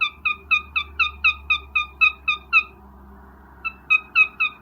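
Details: Mating call of a cockatiel in breeding: rapid run of sharp, falling chirps at about four per second over a low steady hum, a brief break, then a few more chirps.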